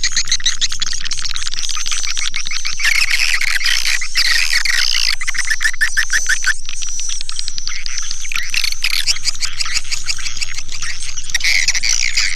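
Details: Lure sound of swiftlets, a dense chorus of high buzzy chirps and twitters throughout, with a low hum at the start and end.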